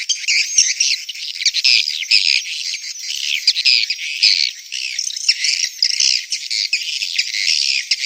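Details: Dense high chattering of swiftlets in a mating and breeding call, rapid rattling chirps and squeaks crowding together without a break, in pulsing waves of loudness.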